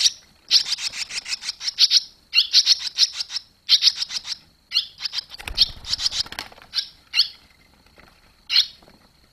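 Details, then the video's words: Barn swallows at the nest as the young finally fledge, 21 July 2023; bursts of rapid, high chirping twitter separated by short gaps, thinning out to single chirps near the end. "Boerenzwaluwen vliegen uit"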